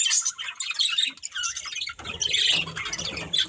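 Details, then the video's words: Breeding pair of budgerigars giving squawky chirps and warbles in bursts, with a dip at one second and rustling, flutter-like low noise from two seconds on. "Beautiful Budgies Chirping Sounds"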